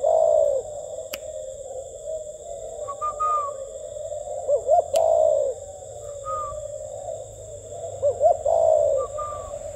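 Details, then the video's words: Spotted dove, cu khách type, cooing in the gù tít style: three low phrases, each a quick wavy double note and a drawn-out falling coo, spaced about four seconds apart, with faint higher whistles and a steady hum. "CHIM CU KHÁCH GÙ TÍT"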